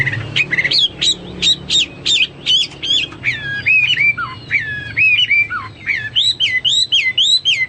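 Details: Hwamei song, a caged bird singing energetically: a burst of sharp repeated upslurred notes, then looping whistles, some dropping low, and finally rapid bright rising phrases, all over faint background hum.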